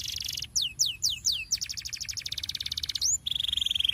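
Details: Canary in ngerol rolling song, meant to set other canaries singing: buzzy trills framing four falling whistled sweeps, a long pulsing roll, one rising note and a closing steady trill over faint background hiss.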